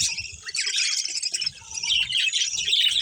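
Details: Budgerigars in a colony, among them a breeding pair, pour out a thick layer of high warbling chirps, dipping briefly at one and a half seconds before rising again.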